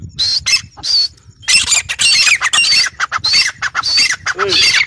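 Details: Forest quail lure sound: two high, thin squeaks, then a long stretch of dense, harsh chattering squawks with a faint low, mellow note near the end.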